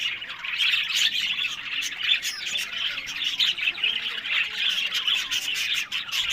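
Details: Captive budgerigars at a breeding setup in Larkana, Sindh, give overlapping squawks and chirping warbles from many birds, an unbroken busy babble with a few clicks.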